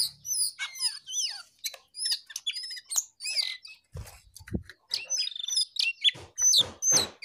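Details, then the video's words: Jongkangan in lively, vigorous song: a rapid, varied stream of high whistled slurs, rising and falling notes and short chirps, with one brief low thump partway through. "Jongkangan GACOR DOOR"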